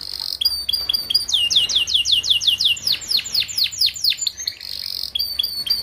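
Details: Canary song used as a tutor recording for young canaries: rapid series of high descending sweeps, fast trills and buzzy notes, dense and continuous with steady low background hum.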